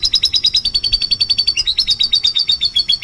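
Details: Vigorous canary lure song in 'gacor' style: rapid high trills, a smooth steady run of notes, then a switch to a bouncier two-part rolling phrase.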